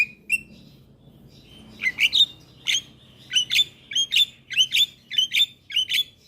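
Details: Javan myna in full voice as a lure for young birds: after a few scattered notes, a steady series of about ten sharp chirped whistles, each with a short upward flick, roughly every half second.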